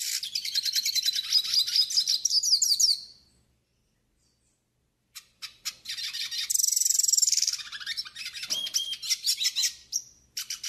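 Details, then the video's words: Long yellow-faced siskin song for tutoring and warming up birds, with rapid high twitters, a two-second silence, then scattered clicks building into buzzy trills, a sustained hissing wheeze and quick chattering runs. "CANTO PARA ENCARTE E ESQUENTA PINTASSILGO DO NORDESTE"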